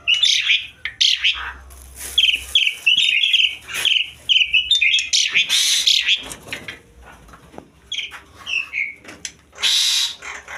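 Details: Asian pied starling in breeding condition, pouring out a loud, dense run of varied whistles, chatters and harsh rasping bursts with brief pauses. It carries on for about ten seconds.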